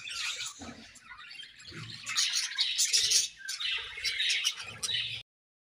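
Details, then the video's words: Chirping from a budgerigar colony at feeding time, a thick mix of high warbling chatter and scratchy squawks, with faint low rustling underneath, ending abruptly in silence. "Budgies Colony Chirping Sounds"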